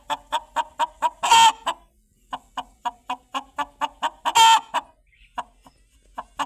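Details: Chicken cackling: rapid, evenly spaced clucks punctuated twice by a loud, drawn-out, harsh squawk, with the clucking continuing between and after the outbursts.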